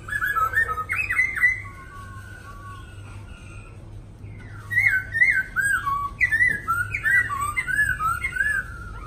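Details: Black laughingthrushes kept in cages in Hanoi, Vietnam, singing long 'lai dai' phrases: quick rolling whistled loops, a pause with a faint sustained tone, then a longer fluid series of bouncing slurred notes, room hum underneath.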